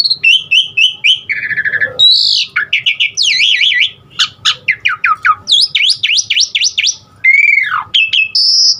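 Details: Varied 'isian' song of an Asian pied starling, used to get other starlings singing: clear repeated whistled trills, a burst of harsh buzz, then rapid V-shaped rising and falling whistles and long high slurred notes.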